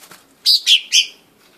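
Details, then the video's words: Blue-winged leafbird (daun sayap biru) giving three quick high whistled chirps in a short descending run. "daun sayap biru/daun sami/blue winged leafbird"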